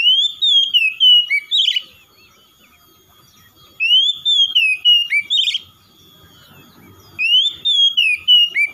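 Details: Three repeated phrases of oriental magpie-robin (kacer) song, each a long rising whistle followed by several short descending whistled notes and a rough buzzy flourish, with silent gaps between phrases.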